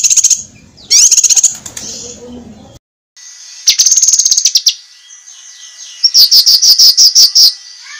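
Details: A cucak kinoi gives sharp master song for competition birds: a rising rapid trill, a silent break, then fast high ticking runs, with faint lower sounds early on.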